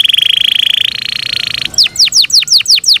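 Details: Yorkshire canary in captivity holding a fast, even rolling trill that steps up in pitch, then switching to slower repeated downward-curving chirps.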